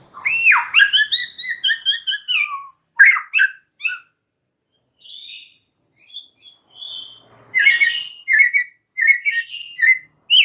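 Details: Very vocal white-rumped shama singing a varied, fully loaded song: a loud swooping whistle and a falling run of notes, then short chips, sweet whistled notes and a quick string of bright, rich phrases.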